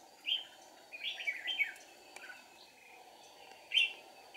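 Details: Red-whiskered bulbul serving as a decoy in deep-forest trapping, 1 April 2019: a few scattered bright chirps, then a quick cluster of warbled notes and a final loud whistle, over background hum.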